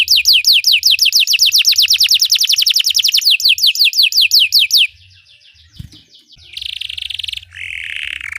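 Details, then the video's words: Belgian canary singing to train other canaries: nearly five seconds of fast descending whistled trill, then a faint twitter, a harsh buzzy phrase and a lower warbling tone. "Belgian canary singing makes your canary sing"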